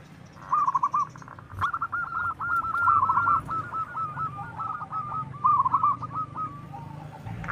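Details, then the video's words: Zebra dove of local stock giving strong lure calls to make other doves answer: a long run of fast, stuttering coo notes, steady in pitch, over a soft low rumble of background noise. "suara perkutut paling digemari langsung nyautt//Suara perkutut lokal gacor suara besar"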